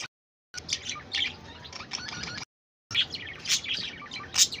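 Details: Budgerigars chirping: a soft, busy chatter of high scratchy chirps and short whistles running without pause, cut by a brief silent break midway.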